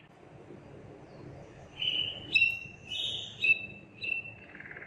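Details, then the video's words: Belgian Waterslager canary, a breed kept for its song, in training; a few short whistled notes and trills at mid-high pitch with low background hum. "Huấn luyện chim yến hót | Belgian Waterslager"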